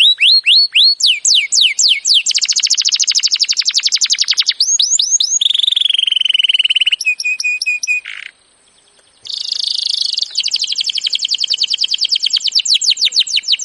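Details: Training song of a canary: fast falling whistles leading into long buzzy trills, a steady lower rolling tour, a sharp rising note, a short silence, then a harsh burst and rapid rattling trill.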